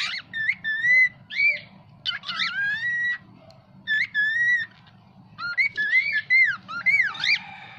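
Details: Talking pet cockatiel producing bursts of whistled, speech-like phrases, bending notes up and down in quick syllables, with pauses between phrases and a constant low hum behind.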